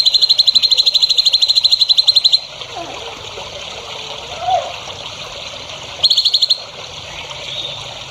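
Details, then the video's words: High, fast trill of repeated sharp notes from a songbird on a training recording for young birds, lasting over two seconds, then a quiet gap with soft background noise before a brief second burst of the same trill. "MASTERAN BURUNG HANDAL UNTUK CALON BURUNG JAWARA"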